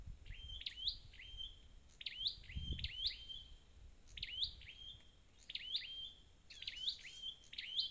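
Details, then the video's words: High chipping song of a red-headed flowerpecker, a wild-caught bird: quick descending-then-rising notes in pairs and runs, with a soft low thump partway through and a buzzier phrase near the end. "File TiếngTiệt Chiêu Phục Hồi Chim Sâu Đầu Đỏ Bể Rừng"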